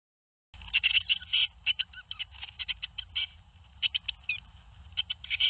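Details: Young tits calling from a nest box in Théding, France, on 21 May 2019 during fledging, when seven young left the nest: dense bursts of short, high chirps and squeaky notes in quick clusters, with low steady rumble underneath.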